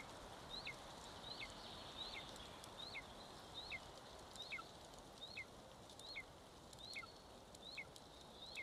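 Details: Golden eagle chick, one month old, eating at its Estonian nest on 25 May 2022, live-cam recording: a long series of shrill, downslurred whistles, about eleven calls spaced under a second apart over faint background hiss.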